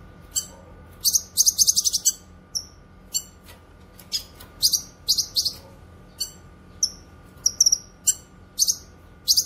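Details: Grey-cheeked bulbul, called cucak kinoy, for training and luring: rapid high chirps and rasping buzzy phrases packed together, then alternating clear descending chips and short scratchy bursts to the end.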